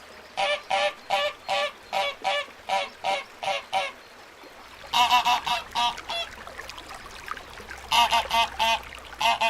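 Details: Little ducks quacking: a steady series of nasal, harmonic quacks about twice a second, then a short pause and a louder, denser run of quacks over faint background hiss.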